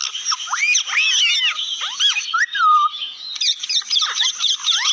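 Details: Parrot vocalizing in a continuous stream of overlapping whistles, squeaky chirps and looping slurred notes. One longer falling whistle stands out midway through.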